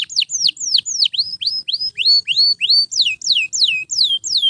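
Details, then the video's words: Canary singing to train other canaries: a steady sequence of loud down-slurred whistles, about three per second, each sweeping from high to lower pitch. "Canto de Canário Gritando Sem Parar – Ideal para Encorpar Outros Pássaros!"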